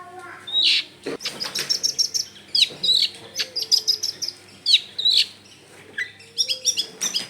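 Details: Long-tailed shrike song used as a lure, loud rapid clusters of sharp high chirps and short whistles in quick bursts, pausing briefly between groups.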